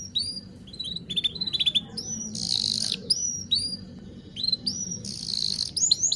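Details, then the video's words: High canary notes used to teach young canaries: sparse whistled upslurs and short chips, with two bursts of harsh buzzy rattle, over a steady low background hum. "Kenari gacor Cuit cuit Ngerol rapat seperti ini yG Paling Cepat MEMANCING KENARI PAUD BELAJAR BUNYI"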